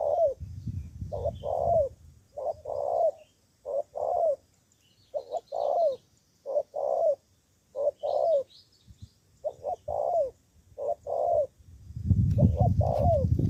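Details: Cà Mau, Vietnam decoy spotted dove calling at rivals. A long, roughly rhythmic series of about ten paired coos, each a brief note and then a longer slurred note, is bracketed by loud low rumbling noise at the start and end.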